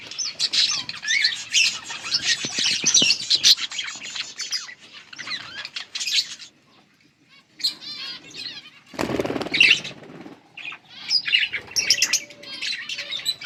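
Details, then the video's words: Yellow budgerigars, August 18, 2024, chattering in bursts of squeaky, scratchy warbles, with a short silent gap midway, then a loud rustling flutter and more twittering. "Beautiful yellow budgies chirping sounds"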